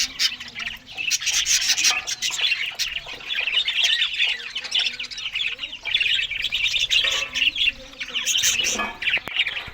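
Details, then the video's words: Australian budgies at a morning meal of green food: constant warbling chatter of many birds with sharp clicks and chirps throughout, a louder squawky burst near the end. "Australian Budgies morning Eating Green Food"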